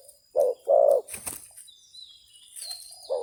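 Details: Spotted dove used as a decoy against a wild bird: a short low coo followed by a longer hoarse coo, then wing noise and a faint coo at the end.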